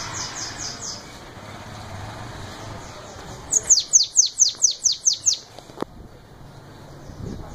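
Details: Bananaquit (sibite) in 'belga' song style: faint high notes at first, then a clear run of eight rapid descending notes. A sharp click follows, over steady background noise.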